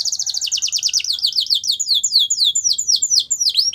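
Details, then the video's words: Canary training song: a rapid, rolling trill of steeply falling whistled sweeps, about five per second, which slows slightly and grows fuller toward the end. "Your Canary Will Not Stop Singing With This Training Song"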